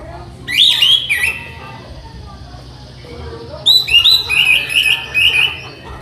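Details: Orange-headed thrush (anis merah) song, a tutor recording for training birds: two bursts of loud whistled, slurred phrases near the start and end, with quieter faint warbling in between.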